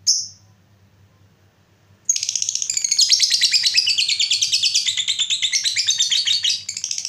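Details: Lovebird long trill, the 'ngekek panjang' used to stimulate other lovebirds to sing: one short shrill note, a pause, then an unbroken, fast, rattling high chatter lasting about five seconds.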